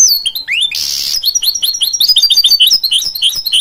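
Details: Goldfinch x canary mule song: a harsh buzzy burst, then a rapid run of bright downward-slurred chirps repeated several times a second.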